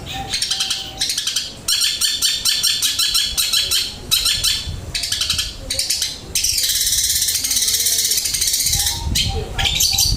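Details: Long-tailed shrike song of flowing material, made of fast rattling trills and buzzy runs in long unbroken strings, briefly pausing between bursts.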